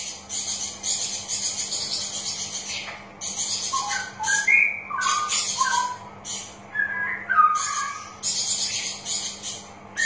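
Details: Straw-headed bulbul lure song for birds reluctant to sing: scattered mellow whistled and gurgling phrases, partly masked by a steady high, hissing chatter that comes and goes throughout.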